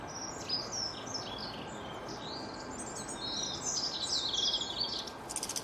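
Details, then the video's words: Songbirds twittering in a rapid, irregular stream of high, thin chirps and short warbled phrases, several voices overlapping, over a steady broadband hiss, with a burst of dense ticking at the very end. "أصوات العصافير تغرد"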